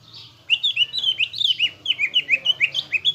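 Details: Greater green leafbird, a caged bird used as a lure song to provoke fighting mood: rapid series of bright, slurred whistled notes, repeated about three times a second after a quiet start.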